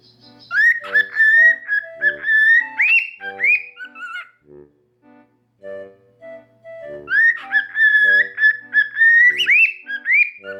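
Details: Pet cockatiels, a normal pied and an albino hatched in 2019, indoors on a dark rainy afternoon, waking up; one whistles a learned tune such as the Mickey Mouse March in clear rising, sliding phrases, pausing midway before restarting.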